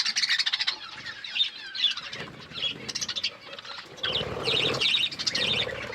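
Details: Budgerigars eating food while chirping: bursts of high chattering squeaks and warbled trills from several birds, some rustling and fluttering between phrases.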